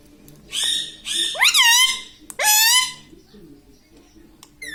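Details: Green pet parrot in a room, talking with learned words like mummy and papa; several buzzy, nasal syllables rise sharply then fall, in two quick phrases followed by quiet.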